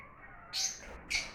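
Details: Exotic lovebirds uttering two short shrill chirps about half a second apart, harsh and high.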